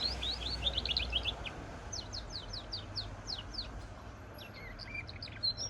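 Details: A goldfinch–canary hybrid delivers a fast jumble of chirps, then a string of evenly spaced, sharp downward-slurred notes, ending in varied buzzy twitters; faint low rumble in the background.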